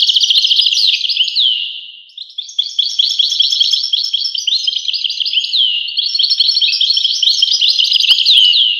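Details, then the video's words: European goldfinch delivering a lively, twittering song of rapid liquid notes with downward slurs, a short dip and pause near the second mark, then resuming with bright, chattering phrases. "voice carduelis- Tweets the birds. Tones a bird Goldfinch. voice goldfinch-"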